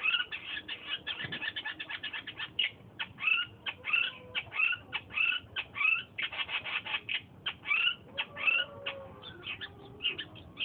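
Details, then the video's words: Long-tailed shrike of Madura calling in the wild, a bird described as now increasingly rare: varied song of quick harsh chattering bursts mixed with sharp whistled notes and short slurred phrases, delivered in an irregular, fast sequence. "Macam ini bunyi cendet asli madura di alam liar yang kini kian punah"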